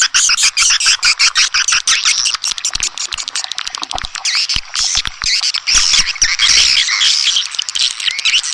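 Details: Calling sound of swiftlets, used by farmers to lure the birds: loud, rapid chirping and high chatter over a stream of quick clicks, growing denser and shriller toward the end.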